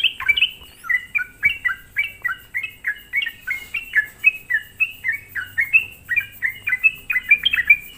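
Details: Lure song of a sooty-headed bulbul meant to provoke rival bulbuls, a steady run of quick liquid notes each falling in pitch, delivered roughly three per second without break, with a faint low hum behind.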